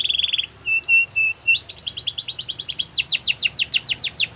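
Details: Singing canary starts with a short buzzy trill and a few clear two-part whistles, then launches into a long, fast run of repeated down-swept notes, bright and rhythmic, about three per second and quickening.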